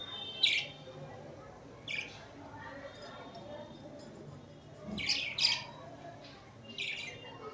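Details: Pet budgerigars, cuddling and fighting, give short, sharp, high chirps in scattered bursts, about six over several seconds, with quiet gaps and a low room murmur between them.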